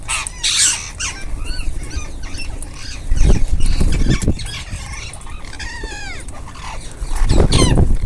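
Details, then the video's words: Ringneck parakeets eating together: a harsh squawk opens, followed by a string of rising and falling squeaky, harmonic chirps and later rough screeches, with low thumping noise. "Ringneck parrots group //eating // natural sound"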